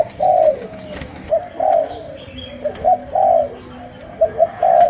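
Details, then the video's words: Spotted dove, Malaysian strain, cooing chiêu gù in sấm đồng style. Loud, full hooting notes alternate with short doubled coos, with faint higher chirps from other birds. "Cu Gáy Malaysia, Chiêu Gù. Sấm Đồng"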